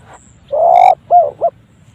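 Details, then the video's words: Spotted dove giving an unusual-sounding call: one long, slightly rising hollow coo followed by two short clipped coos, all low and mellow, against faint rustling background noise. "TEKUKUR! SUARA ANEH BARU DENGER KALI INI SEUMUR HIDUP"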